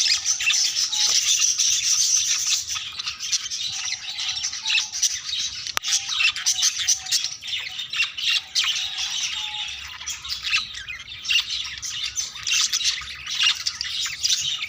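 Budgerigars keep up a dense, scratchy chatter of squeaks and chirps, a courtship warble.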